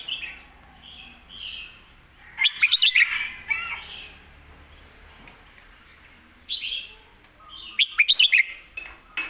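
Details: Competition red-whiskered bulbul singing its full master song. Two bursts of rapid, ringing staccato notes are separated by softer warbled phrases and short pauses.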